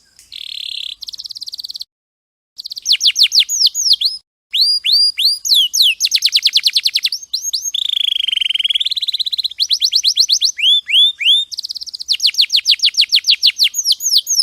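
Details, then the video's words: Canary song used as a training recording for other songbirds: varied fast phrases of rapid down-slurred whistles, rolling trills and buzzy rattles, with a long sustained buzzy tour near the middle and brief pauses between sections, no other sounds. "MASTERAN KENARI JUARA !!! MASTERAN KENARI SUARA JERNIH HD"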